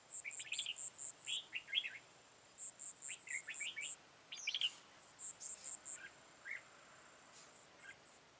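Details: Red-whiskered bulbul phrases recorded on 13 October 2018 during decoy trapping. Short bursts of warbled, whistled notes recur over a steady run of very high, rapid ticking pulses, possibly an insect.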